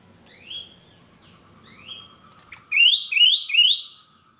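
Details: Sooty-headed bulbul, a male cage bird, gives soft sliding whistles, then three loud rising warbled notes evenly spaced about half a second apart, over a low steady hum.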